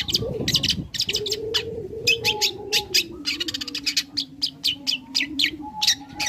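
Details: Young long-tailed shrike singing learned material as a lure to make other shrikes answer; dense bursts of rapid ticking and chattering notes over a continuous droning hum, with faint thin whistles.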